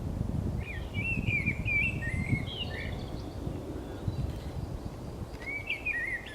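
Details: On 28 March 2019, on the Camino de Santiago at Zamudio, a common blackbird sings two warbling, fluted phrases of looping slurred notes separated by a pause of about three seconds, over a steady rumble.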